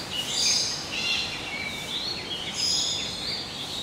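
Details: One of two feral Yellow-crested cockatoos nesting in a tree hole in Hong Kong Park, Hong Kong, gives harsh, high, grating screeches in two drawn-out bursts, the second starting around two and a half seconds in, over light background hiss.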